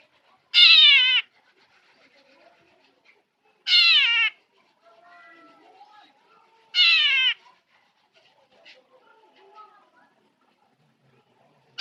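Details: Black drongo mimicking a cat in its song; three loud, drawn-out meow-like calls, each falling in pitch, about every three seconds, with soft chatter and faint twitters in between.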